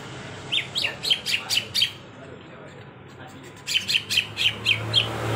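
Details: Greater green leafbird singing vigorously: two bursts of quick, bright chirped notes, about four per second, with a quiet pause between them and a low background hum.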